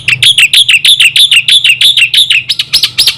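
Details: Lure song of the black-winged myna for drawing other mynas into song: a steady series of bright, clipped chirps repeated about three times a second, ending in a few higher, arched notes.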